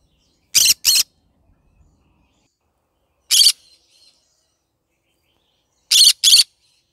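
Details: Pet green-cheeked conure of the yellow-sided colour calling in the morning, loud raspy screeches delivered in quick pairs, then a single one, then another pair, separated by silence.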